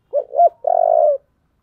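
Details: Fighting spotted dove, 'giọng thổ' voice style, in a challenge call: a paired hoot, a brief gap, then a sustained rolling coo with fine rapid pulses, cleanly recorded without other sounds.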